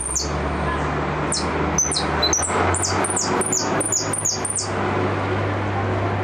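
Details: Repique-style goldfinch song: a flurry of very high, steeply falling whistled notes in quick series, over a steady low hum in the background.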